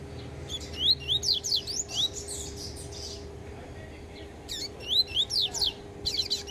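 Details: Yellow-bellied seedeater singing while still affected by beak moult: two bursts of quick, sharp, rising whistled notes, about five to six per burst, separated by a pause, over a steady low hum.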